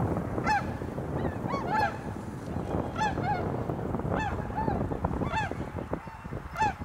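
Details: Many tundra swans in cold, cloudy, snowy Azumino, Japan, at −4°C in 2023, give a steady chorus of clear, slightly arched honking calls, roughly one or two a second, over a low background rumble.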